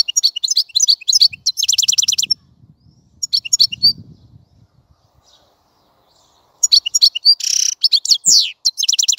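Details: European goldfinch song in two bursts of quick high tinkling chirps and short trills, separated by a few seconds of near silence with faint low rustling.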